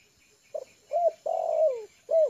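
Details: Hand-trained lure spotted dove relaxing on the ground: a short low note, a rounded double coo, a sustained coo falling in pitch, then the start of another short coo.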